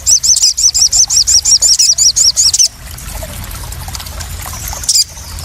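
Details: Crested jay call played as a lure to provoke birds and calm newly caught captive ones: a rapid, even string of high squeaky notes, about three per second for over two seconds, then silence and one last chirp against background hiss.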